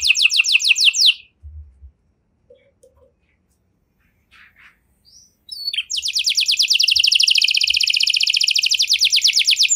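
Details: Canary singing an ornate 'cengkok mewah' song used to prompt other canaries into full song; a burst of fast descending trills, a quiet gap with faint chips, then a long rapid buzzy trill repeated many times per second.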